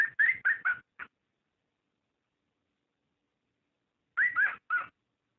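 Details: Cockatiel calling to stimulate mating: a short cluster of four whistled notes, some with upward slides, then near three seconds of silence before three more similar notes.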